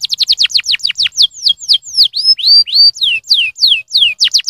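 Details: Canary singing meant to stimulate song: a rapid string of steeply falling notes, then slower, louder slurred whistles repeated about four per second, high and clear.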